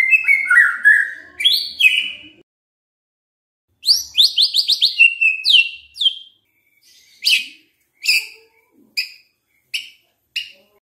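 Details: Lure song of a white-rumped shama to spur other shamas into song: varied whistled phrases and rapid trills, ending in a series of short sharp chirps spaced about one second apart.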